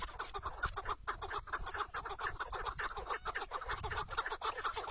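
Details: A decoy chukar partridge, tethered during a hunt in the wild, delivers steady rapid clucking, a string of short harsh notes with a brief gap near the first second.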